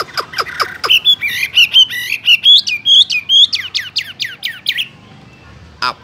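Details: Caged Chinese hwamei: a few sharp clicks, then a fast run of bright, upslurred whistled notes repeated roughly twice a second for four seconds, ending abruptly with a short pause and one final click.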